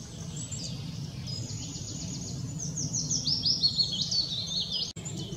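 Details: Willow warbler singing at Hindekamp on 4 May 2017; a soft, sweet run of high notes sliding downward midway, over a steady low rumble with other high bird notes around it.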